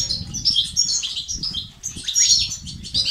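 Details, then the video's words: European goldfinch singing بتبتة and ستستات phrases to stimulate males. Quick, high, jangling twitters and a few descending notes, with a low rumbling, fluttering background. "أقوى بتبتة وستستات للتحفيز الدكور الحسون وتساعده في زيادة النشاط وتحفيزهم على تغريد وعلاج صمت حسون"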